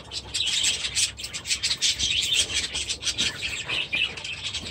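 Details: Budgerigars kept in aviaries alongside new chicks, recorded 23 July 2017, producing dense, overlapping high chirps and scratchy warbles in fast irregular bursts with no pauses.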